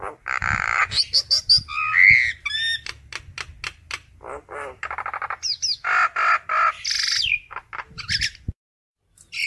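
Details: Harsh squawks, rasping buzzes and rapid clicking chatter from a common myna calling the flock, with a few high whistled slurs and a low background hum.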